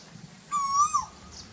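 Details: In the very hot season, a koyal gives a single loud, ringing whistle that holds steady, rises slightly and falls at the close. A faint chirp follows.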